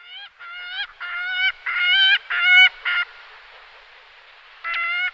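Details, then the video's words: Gyrfalcon (Falco rusticolus) call: a quick run of six harsh, nasal, rising notes, then a pause of steady hiss before one more note. "Кречет Falco rusticolus ГОЛОС"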